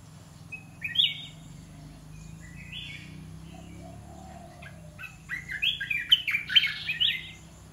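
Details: Caged red-whiskered bulbul singing a mix of the dok taeng and ta daeng song styles: short bright warbled phrases, a few isolated notes early, then a denser burst of rich rising-and-falling whistles near the end, with low background hum.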